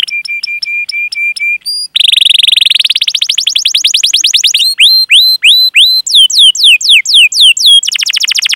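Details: Canary in full, long rolling song used as a lure to get other canaries singing: a row of steady chirps, then a fast rising trill, then repeated down-slurred whistles and a closing rapid roll.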